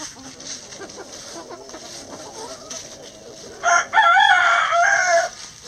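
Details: Backyard rooster crows loudly over a flock foraging among pine needles and leaves for bugs, worms and pecans; a harsh, strained crow lasting about one and a half seconds follows quiet clucking.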